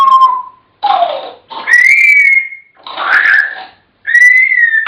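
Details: African grey parrots alternating clear sustained whistles with bursts of speech-like chatter, three whistled notes spaced across a few seconds.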